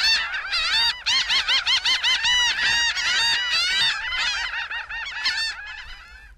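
Laughing Gull giving a rapid run of nasal, laughing 'ha-ha-ha' notes, about two or three per second, loud and harsh, trailing off at the end.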